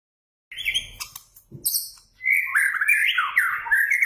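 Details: White-rumped shama in full, active song, used as a lure recording: sharp high notes and a dull thump, then a loud, rich run of fluid warbled whistles shifting quickly up and down.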